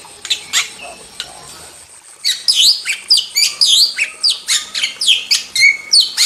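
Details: Vigorously singing wild starling: two quiet seconds of scattered chirps, then a loud stream of bright looping whistles and rasping notes, about four per second.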